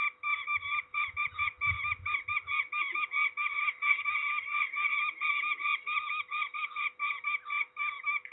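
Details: Peregrine falcons during ringing in Trzebież, Poland, 13 May 2019, utter steady harsh, cackling calls in rapid repeated pulses throughout, with brief handling noise early on.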